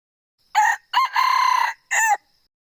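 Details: Male red junglefowl crowing: a short opening burst, a long harmonic drawn-out middle note and a clipped final burst, the whole crow lasting under two seconds, against silence.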